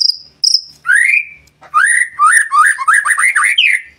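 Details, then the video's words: White-rumped shama singing a master song meant to draw song from other birds: two high piping notes, a rising whistle, then a rapid string of varied rising whistled phrases with crisp high accents. "Masteran murai batu"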